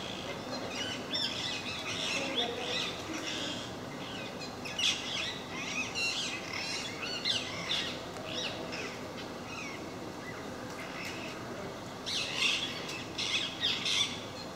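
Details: A regular group of parakeets making a racket in a park; scratchy screeching calls from several birds come in irregular clusters over fourteen seconds, loudest near the end, with a quiet stretch midway and constant low hum.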